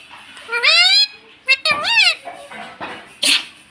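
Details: Indian pet ring-necked parakeet saying "mummy" right after a person repeats "Mami": drawn-out, rising then dipping nasal squeaky syllables, a brief click and a breathy burst near the end.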